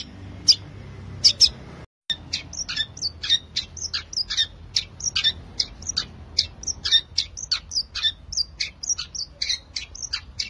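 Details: Active long-tailed shrike song, genuine recording used to stimulate non-singing shrikes: a few squeaky notes, a short break, then a fast, steady stream of high scratchy chatter at about three notes per second.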